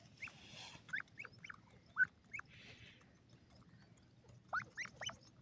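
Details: Three-month-old grey francolin chick from Sindh giving short, sharp chirps that sweep steeply up or down, scattered singly and in quick clusters of two or three over a few seconds, with a soft noisy rush early on.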